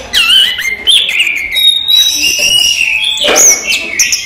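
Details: Daytime song of a kept orange-headed thrush: rich, fluty whistled notes with slurs up and down, flowing continuously and mixed with sharp higher accents.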